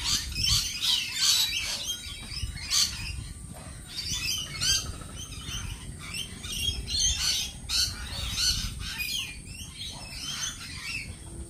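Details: Lorikeets calling at a feeding spot, a busy overlapping chorus of harsh, screechy squawks and chattering chirps from several birds, with low background rumble throughout.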